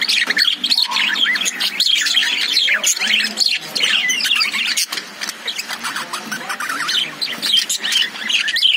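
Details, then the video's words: Several lovebirds in a cage keep up a dense, nonstop chatter of shrill chirps and squawky twitters that overlap rapidly with no real pause. "Love birds sound"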